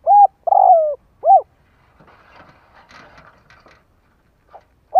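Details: Spotted dove used as a decoy, cooing to provoke wild doves: a short coo, a longer descending coo and a rounded coo. Faint rustling and clattering follow, then a soft note and the start of another coo.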